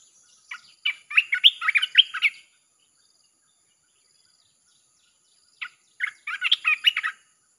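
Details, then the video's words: Red-whiskered bulbul song meant to draw in wild birds: two bursts of fast, chattering, whistled phrases separated by a few seconds of silence. Each burst holds roughly seven to nine notes over a faint steady high hum. "เสียงนกกรงตาแดงEp.158 สับไม่หยุด!! เปิดล่อนกป่าเข้า100%"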